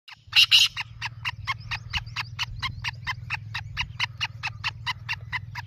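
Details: Black francolin calling: two loud, harsh, grating bursts, then a long fast series of short clipped notes repeated about five times a second, over a steady low hum.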